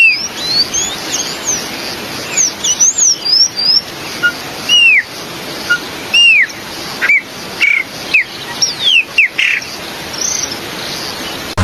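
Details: Chopi Blackbird from Brazil, named among the country's most beautiful songbirds: clear whistled notes, slurred and arching, some sharp rising and falling, spaced irregularly across the stretch with short gaps and a steady high hiss behind.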